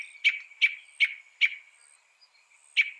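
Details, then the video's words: Northern mockingbird, a mimic credited with copying 200 sounds: sharp, harsh chip notes repeated roughly every 0.4 seconds, then a pause and one final chip. A clean, quiet background. "Masteran suara burung NORTHERN MOCKINGBIRE bisa merekam 200 suara"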